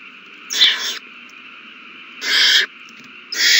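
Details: Owl babies at a meal, 27 March 2020; two drawn-out breathy hisses about two seconds apart, a third starting at the end, over a soft continuous hum.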